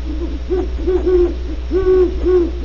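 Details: Low, rounded hoots of great horned owls at Starr Ranch, California, with softer notes followed by two louder, longer ones, and a steady electrical hum throughout.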